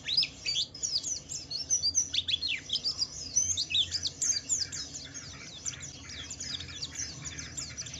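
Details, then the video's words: White-eye song for luring other white-eyes to sing: loud bursts of high, falling chirps early on, then softer continuous twittering that fades slightly toward the end. "Suara burung Pleci Wiklus Wiksar memancing Pleci lain cepat cepat bunyi gacor"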